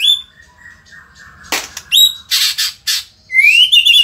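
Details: Vigorous white-rumped shama in Indonesia: a short high whistle, loud harsh rasping squawks, then a bright rising whistled flourish with quick trilled ends.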